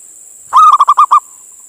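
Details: Male zebra dove, a local Indonesian bird, calling a female to lure others in: a short run of six loud, clipped cooing notes in quick succession, ending in a faint trailing coo, with a steady high hiss behind.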